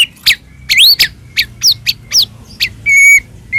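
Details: Energetic White-rumped shama (murai batu, Medan type) song meant to provoke other shamas into singing: sharp rising whistled notes in quick separate bursts, ending in a sustained pure whistle with a shorter follow-up note.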